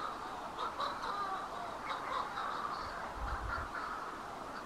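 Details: Manx shearwaters near the Bardsey Bird and Field Observatory on Bardsey Island give harsh, raucous cackling calls, several overlapping bursts each second or two, with a brief low rumble of wind near the end.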